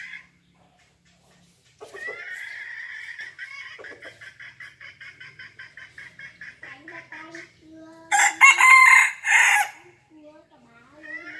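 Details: Five-month-old red junglefowl crowing fiercely: a long run of rapid, evenly spaced short pulses, then a loud, harsh, harmonic crow burst lasting over a second, followed by a quieter low tone.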